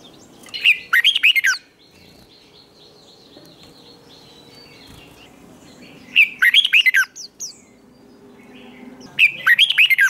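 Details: Red-whiskered bulbul in a training recording for competition singing, in the fired-up 'twisting voice' style: three short, rich warbled phrases swooping between mid and high notes, each under a second, spaced about three to five seconds apart over faint background hum.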